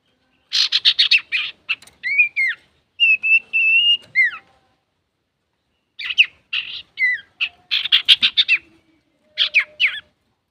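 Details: Male common iora, known locally as cipoh or sirtu, singing energetically; used as a lure to provoke other birds. Bursts of rapid buzzy chattering notes alternate with clear whistled slurred phrases, some falling at the end, separated by short pauses.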